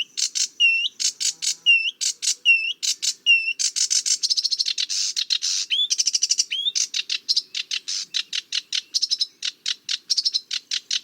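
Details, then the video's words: Sedge warbler song: varied, hurried phrases mixing upward-swept whistled notes, dry chattering trills and buzzy rattles, delivered continuously with fast repeated elements, clean background. "Sedge Warbler - Songs"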